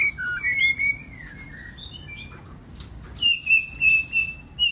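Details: White-rumped shama singing in many voices, used to stimulate other shamas to sing: clear high whistled phrases, then a pause and a row of five bright, level whistles repeated about every half second.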